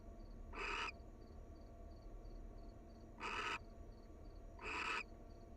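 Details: Wild barn owls, a mated pair cuddling at the nest: three rasping hiss-screeches, the first alone, then two closer together about a second and a half apart, with quiet high pulsing in the background.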